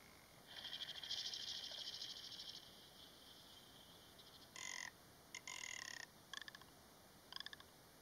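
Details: Rock ptarmigan giving a long, dry, rolling croak of about two seconds, then shorter rasping bursts and clipped rattles, ending in quick clicking pulses, in an otherwise quiet setting.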